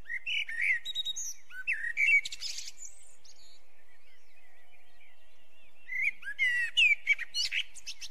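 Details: Two phrases from a singing Eurasian blackbird, each made of mellow, fluty whistles followed by rapid, high, scratchy chatter, separated by about three seconds of quiet.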